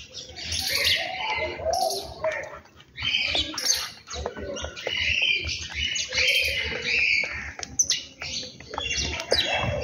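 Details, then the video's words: Birds at a home in the morning give a busy stream of high, sharp chirps and squeaky twitters, overlapping and repeated rapidly, with brief quieter pauses between bursts. "beautiful sound of birds"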